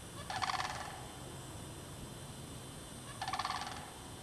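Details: March 2009 recording of sandhill cranes in a park bog, showing mating activity. Two rolling, trumpeting rattles about three seconds apart stand over a low steady hiss.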